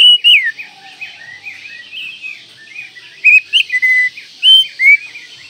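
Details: Kacer (Oriental magpie-robin) masteran song: loud, varied whistled notes, some falling slurs and some bright level tones, delivered in uneven bursts with short pauses and soft warbling between.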